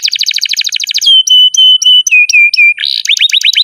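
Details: Canary in continuous song as a master recording for young canaries: quick pulsed trill, a series of clear steady whistles stepping lower, then a brief harsh burst into rising chirped phrases.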